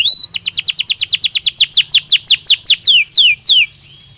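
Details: Belgian canary singing naturally: an upward whistle opens a rapid regular series of bright downward chirps, slowing slightly toward the end before falling quiet.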